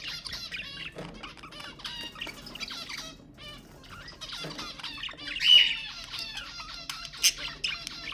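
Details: Budgerigar chatter used to stimulate pet budgies: continuous fast warbling of clicks, buzzy notes and short harmonic squawks, with a sharp louder squeak after five seconds.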